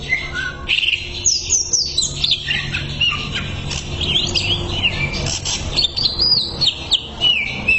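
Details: Greater green leafbird song played as a therapy tutor: varied whistled notes rising and falling, squeaky chirps and twittering runs that follow one another almost without pause, over a faint low hum.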